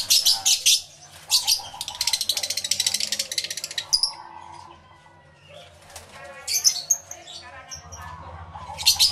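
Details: Many lovebirds calling in an aviary, recorded with a camera and two external microphones: bursts of shrill, rapid chattering chirps alternate with quieter gaps, a soft lower warble in the middle, then fresh outbursts toward the end.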